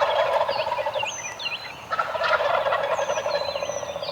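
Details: Several eastern wild turkeys on the roost in the morning gobble almost nonstop, rapid rattling bursts overlapping one another, while songbirds add high descending whistles and chips.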